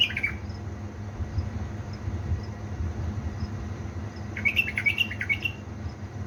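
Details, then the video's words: A bulbul from Balad Ruz in Diyala, Iraq, kept as a pet, sings before dawn at 3 am. There is a brief note at the start, then a longer chattering, warbled phrase of quick up-and-down notes. A constant low hum runs underneath. "أجمل واحلى تغريد من طيوري علاوي نهروان من بلابل ديالى بلدروز"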